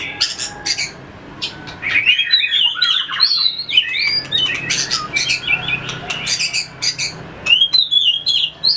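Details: Shama (murai batu) practising competitive fighting song in a cage: bursts of sharp clicks open, then a dense run of looping whistles and chattered phrases, ending in more clicking.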